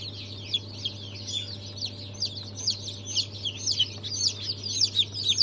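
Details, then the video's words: Newly hatched Brahma, Fizan, Australorp and Legbar chicks on 3 March 2023 call in clear, piercing, falling peeps, several birds overlapping in quick irregular series, steady low hum in the background. "Yeni Civciv Çıkımı 03.03.2023 - Brahma,Fizan Çeşitleri,Australop,Legbar"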